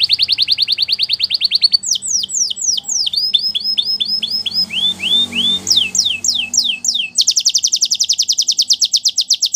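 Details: Spanish Timbrado canary singing: a fast buzzy trill, then sweeping downslurred notes, a run of repeated rising whistles, more falling sweeps, and a final rapid metallic trill, all high-pitched and clear.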